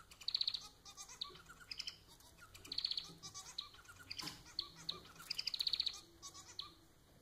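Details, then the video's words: Pet society finch (manon) song: bursts of rapid, buzzy, high-pitched pulsed trills, each about half a second long, alternating with short chirps over roughly seven seconds, with faint background hiss. "Vídeo para fazer seu MANON cantar muito!"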